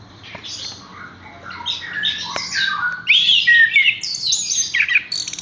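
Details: Caged Horsfield's bush lark, hung up directly without prior conditioning, singing a varied run of scratchy chirps and short whistled phrases that grow louder and higher toward the end, with fast trilled notes in the last seconds.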